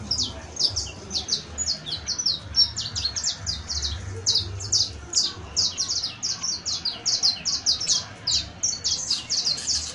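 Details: Saffron finch (Sicalis flaveola), shown as a professional song bird, sings a fast continuous stream of high sharp chirps and short trills, several notes per second, over a low background rumble.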